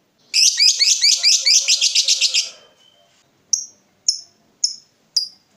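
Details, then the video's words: Lovebird ngekek, meant to trigger long chattering in other lovebirds: a two-second burst of fast, raspy, high chatter, followed by four brief sharp ticks spaced about half a second apart. "SEKALI PUTAR LOVEBRID MANA PUN LANGSUNG NGEKEK PANJANG"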